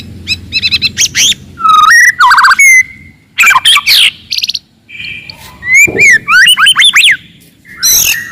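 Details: Loud, aggressive song of a forest white-rumped shama, used to rile rivals: rapid rattling chips, clear level whistles, rising and falling slurs and harsh bursts in quick varied phrases, sharply switching between notes.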